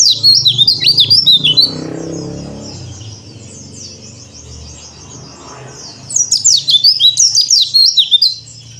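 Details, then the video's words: High, rapid twittering of a Bali yellow-breasted white-eye in cor dor song, used to train untrained white-eyes, is loud for about one and a half seconds, drops to a faint murmur over low rumbling noise, then returns loudly near six seconds. "PLECI DAKBAL COR DOR ‼️ Cocok Buat Terapi Pleci Bahan Mu"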